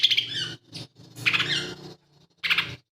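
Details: Lesser green leafbird in song with mimicked material. Phrases are varied and warbling, with sliding whistled notes mixed with scratchy chatter, given in three separate bursts.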